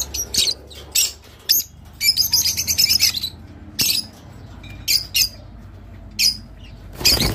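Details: A Rosy-faced lovebird sings to prompt mating: a rapid run of thin, twittering notes near the start, then isolated sharp squeaks at irregular intervals, ending in a louder harsh burst.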